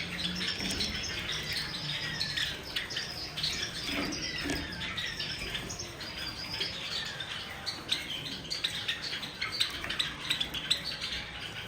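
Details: Several Java sparrows, including silver and white birds, call while taking a bath: dense, overlapping high chirps and short squeaky notes run almost continuously, mixed with splashing and pattering water.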